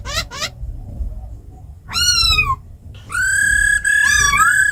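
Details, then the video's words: Laughingthrushes, a female with rough calls and a kept bird singing wild forest style to stir other birds: two quick upswept notes, a long arching whistle, then sustained loud whistling with a wavering dip. "Tiếng chim khướu mái ro khẹt + khướu mun thuần hót giọng rừng"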